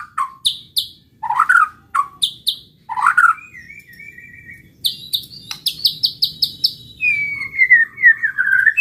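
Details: Song of a white-rumped shama meant to provoke rival birds: spaced high clicks with lower rich notes, a thin whistled trill, a rapid series of sharp ticks, then a long wavering descending whistle.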